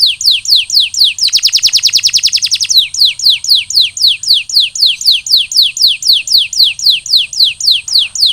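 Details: Canary singing in recovery after molt: steady series of downward-slurred whistles about twice a second, broken by a short dense rapid trill, then the slurs resume steadily.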